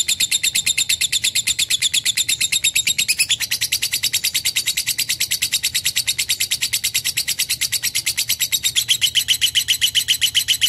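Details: Lovebird: a continuous, very fast chatter of high, harsh chirps pulsing evenly without pause, shifting slightly in tone partway through.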